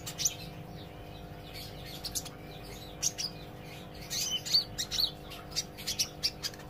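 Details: Olive-backed sunbird learning to sing and chatter: softer, scattered high tweets and short whistled slurs in irregular bursts against a hissy background and a low continuous hum.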